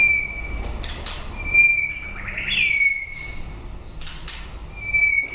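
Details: End-of-breeding-season song of a white-rumped shama: long steady whistled notes, broken by bursts of harsh noisy notes and a brief wavering trill, then a return to the level whistle.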